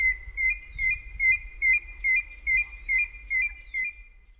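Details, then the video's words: African grey hornbill recorded in Kongelai, Kenya, giving a steady run of about ten thin, piping whistles, roughly two per second, each with a slight upward inflection; faint low rumble beneath. "African Grey Hornbill Call"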